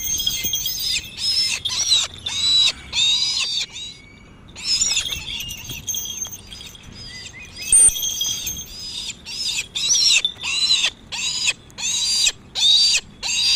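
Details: Brahminy kite, a trained bird practising soaring, giving high, squealing bursts of short wheezy notes, repeated roughly every second with brief pauses; faint outdoor background noise.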